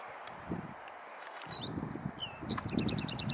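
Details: A female rufous-tailed rock thrush (Monticola saxatilis) gives scattered high chirps and one clear whistle, then a quick run of thin notes, over low wind rumble.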